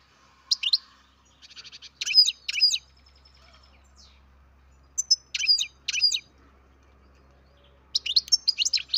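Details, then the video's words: Captive-bred baby European goldfinch giving bright, high chirps in short bursts, with a brief buzzy rattle between groups and quiet pauses between each cluster. "Καρδερίνα εκτροφής μωρό (Goldfinch carduelis baby"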